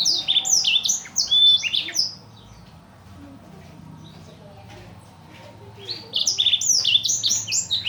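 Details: Imported blackthroat used to teach other cage birds, delivering rapid bursts of high slurred whistles for two seconds, a quiet gap of about four seconds, then the rapid twittering resumes.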